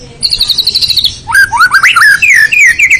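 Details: White-rumped shama (murai batu) in a 'full isian' song: a quick high trill of repeated notes, then swooping rising whistles and twisting slurred phrases.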